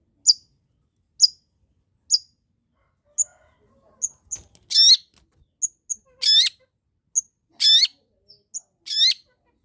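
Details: Lively long-tailed shrike song meant to coax silent shrikes into singing: single sharp, high ticks spaced about a second apart, alternating with longer, harsh, buzzy rasping notes, against a clean quiet background.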